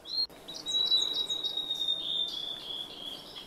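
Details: Male-type song of the blue-and-white flycatcher from the Khingan reserve in Russia's Amur Region: a sustained, high, clear whistled strophe with fluttering notes layered on top. A sharp click opens it, and there is light natural background noise.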